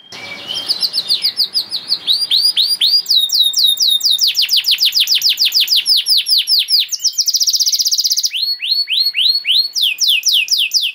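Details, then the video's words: Canary song as a master for juveniles: varied phrases of sharp falling whistles, a long fast run, a brief buzzy trill, then further repeated whistled notes. "KENARI GACOR PANJANG CENGKOK ISTIMEWA COCOK BUAT MASTERAN KENARI PAUD || VOICE OF CANARY"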